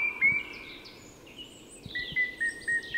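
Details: Song thrush singing at dawn in Tyresta National Park, Sweden: a clear whistled note, then a run of short, evenly repeated whistles of the same pitch, with fainter high bird notes behind.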